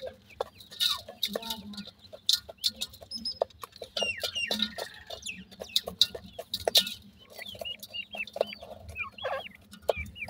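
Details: Francolin chicks in summer giving short hooked chirps, sparse at first and more frequent toward the end, among repeated sharp taps and clicks with a low background hum.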